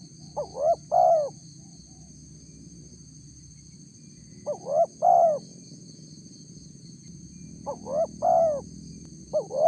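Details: Spotted dove lure call used to draw a response from wild doves: three-part coos, two short notes then a longer drawn note, repeated about every four seconds, with a steady high hiss and low background hum.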